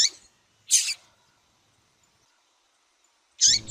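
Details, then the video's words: Female double-collared seedeater calling to excite a male: sharp, high, downward-sweeping chip notes spaced well apart, with silence between them. "Fêmea de Papa capim piadeira Muito Quente para Esquentar Papa capim"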